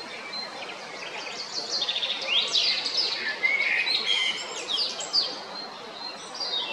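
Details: Male Eurasian blackbird singing at Jarun, Zagreb, Croatia, on 22 April 2021: warbled phrases that sweep around the middle register, then thin, high, scratchy twittering flourishes. The phrases run together irregularly over a quiet background.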